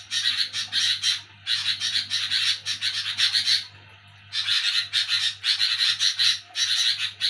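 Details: Harsh nocturnal chattering from a sooty-headed bulbul: three rasping bouts of fast, scratchy pulses separated by quiet spells of about half a second and one second, over a low hum.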